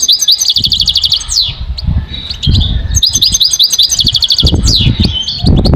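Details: Goldfinch song played for training: loud, fast twittering phrases with descending slurred notes, over a steady low rumbling background noise.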